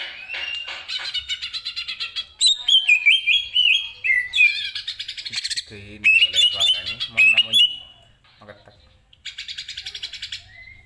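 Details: Greater green leafbird (cucak ijo) singing loudly, offered as tutor material for other caged birds: rich, varied whistled phrases with rapid chattering trills and sweet rising-falling notes, delivered in bursts separated by short pauses.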